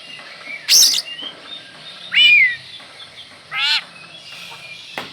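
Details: Oriental magpie-robin song used as a lure to stir up a kept magpie-robin: a few loud, widely spaced phrases, a high buzzy note, a bending whistle and a falling slurred whistle, over steady faint hiss.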